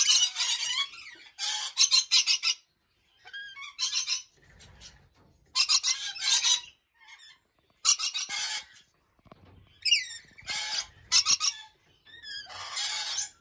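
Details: Lorikeets in an aviary in the early morning give harsh, grating screeches in bursts of about a second, with thin whistled notes between, several birds calling over one another.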